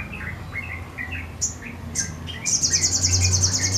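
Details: Sogon giving full song with wings spread, spaced bright chirps breaking into a sustained, pulsing, very high buzzy trill for the last second and a half.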